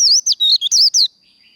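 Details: Japanese white-eye líu fighting song, a short phrase of six bright, high, slurred whistles rising and falling in just over one second, followed by a soft lingering high tone.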